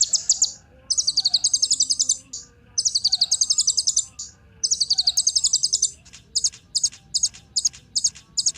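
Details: Ninja sunbird singing, a recording meant to prompt other birds to sing: long, dense, shimmering high trills lasting over a second, then a run of short separate sharp chips near the end.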